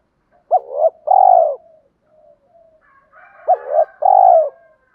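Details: Spotted dove lure cooing used to provoke males. Two phrases, each a sharp upslurred note, a short wavering coo, then a longer mellow coo. A faint higher hum begins under the second phrase.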